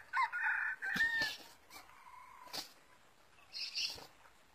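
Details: Crow of a wild red junglefowl coming to a lure: loud harsh harmonic syllables in quick succession for about a second, followed by a fading tail and scattered clicks and rustles.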